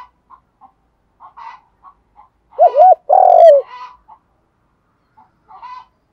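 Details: Spotted dove with a 'giọng đồng' morning lure call to wild doves: one loud phrase of two short hooked coos and a long falling note. Scattered soft chirps and a harsh clucking note surround it.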